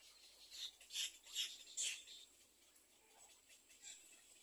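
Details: Little egret chicks in a second nest awaiting food: four loud, raspy hissing bursts about every half second, then fainter scratchy notes.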